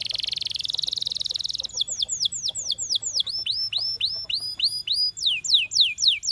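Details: Singing canary from a champion: a fast metallic rolled trill, then slower repeated downward-curving whistled notes, about four per second, shifting between phrase types.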